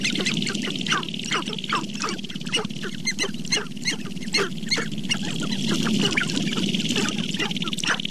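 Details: Several sharp-tailed grouse at Namekagon Barrens, northern Wisconsin, in April, recorded with a Canon 5D Mark II and two Sennheiser ME67 microphones: rapid sharp downward-swept clucks and cackles over a steady low pulsing rattle.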